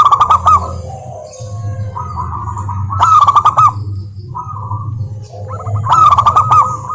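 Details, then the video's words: Zebra dove of local stock singing, played as a lure to make lazy doves sing; phrases of soft coos with rapid rattling bursts recur about every three seconds, with a constant low background hum. "Perkutut Malas Bunyi dijamin NYAUT GACOR LANGSUNG dengar pancingan masteran Kutut lokal ini"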